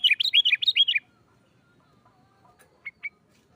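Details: Sooty-headed bulbul singing in fierce fighting style to spur other bulbuls on: a one-second burst of rapid alternating chirps, followed by quiet and two faint short notes.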